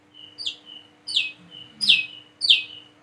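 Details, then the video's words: A single plain-throated sunbird practising its call as it learns to sing, with piercing high chirps roughly every 0.7 seconds linked by faint thin notes, and a steady background hum. "PANCINGAN SUARA BURUNG WICEH KOLIBRI KELAPA BIAR BISA WICEH WICEH"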